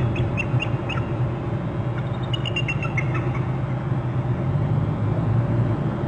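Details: Both bald eagles calling at their nest territory on Hornby Island, picked up by a nest camera: two bursts of high, thin piping notes in quick descending series, over a constant heavy low rumble of wind or camera noise.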